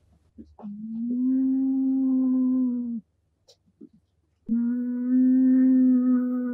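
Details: A Northern white-faced owl, a small owl kept as a pet, gives a deep, gravelly voice. Two long, steady, low hums of about two and a half seconds each are separated by a short pause with faint clicks. The room is otherwise quiet.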